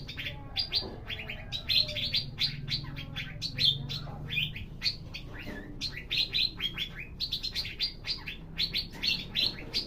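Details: Javan green magpie singing at full volume: a dense, steady stream of short, sharp, high chirps and clipped notes, tightly packed with brief pauses, over a low humming background.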